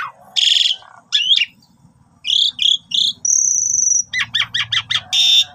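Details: Javan pied starling lure song: rough raspy bursts and buzzy chirps, a long level high whistle, followed by a rapid stutter of short twisted notes and a final harsh rasp.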